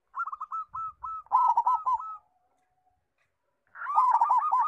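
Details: Local zebra dove with a big voice, singing freely as a tutor for young doves: quick clipped coos rising into a louder stuttered phrase, a short silence, then another dense burst of overlapping cooing notes.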